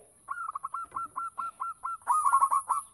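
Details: Local zebra dove singing to attract other doves: about eight quick, evenly spaced cooing notes followed by a loud, fast rolling burst.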